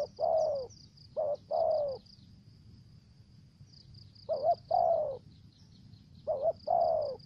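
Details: Spotted dove used as a decoy, cooing in the 'thổ dế' voice with 'dập' notes: soft low coos in groups of a short note then longer ones, repeated every two to three seconds, over a faint steady high hiss.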